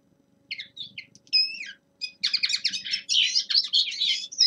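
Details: Young male common linnet in winter opens with a few separate chirps and a slurred whistle, then breaks into a fast, dense twittering warble.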